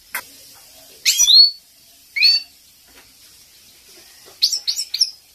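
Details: Female European goldfinch wisht call for stimulating captive male goldfinches: two clear rising buzzy calls a second apart, a pause, then a fast cluster of three short chirps near the end.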